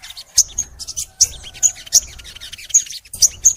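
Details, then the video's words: Crimson sunbird (sogon) singing for a master recording meant to get kept sunbirds to sing: sharp high chirps and thin whistled notes, spaced irregularly, with soft low rumble beneath. "MASTERAN SOGON FULL NEMBAK! Suara Sogon Gacor Panjang"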